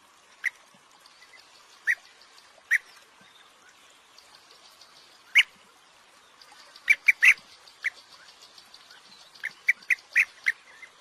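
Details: European bee-eater calling: short rolling, liquid notes repeated at irregular intervals, singly at first and then in quick clusters toward the end, over a quiet background.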